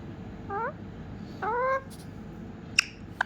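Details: Rescued pet ringneck parrot in Ranchi, India, mimicking a cat when its owner asks it to call the kitty: two short, rising, harmonic meow-like notes about a second apart, then two faint sharp clicks over a low indoor hum.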